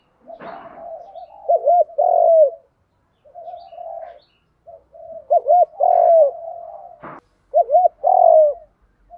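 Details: Spotted dove lure recording for training decoy birds, male and female calling: three phrases of quick looping coos each ending in a long descending coo, with a few sharp clicks between.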